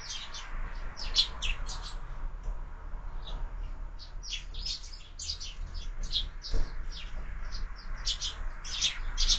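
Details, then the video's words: Sparrows breakfasting at a window feeder used for year-round bird feeding; steady stream of short, bright chirps from several birds, overlapping at times, over faint low hum. "Воробьи в кормушке - Завтрак"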